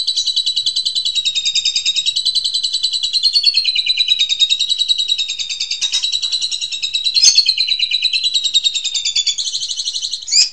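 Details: Long unbroken rapid rattle from an Asian pied starling singing ngentrok style, a therapy song for training house magpie robins: fast pulsed buzzy notes held at an even pitch, with small swells in loudness and a sharp note at the close.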